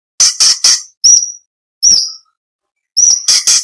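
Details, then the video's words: Orange-bellied leafbird song serving as varied contest filler material for magpie-robins, green leafbirds and kacer: quick triplets of rasping notes alternating with two clear high whistled notes, with short gaps between phrases. "Cucak Cungkok Istimewa - Isian variasi Materi Lomba For Murai C.Ijo Kacer / Orange Bellied Leafbird"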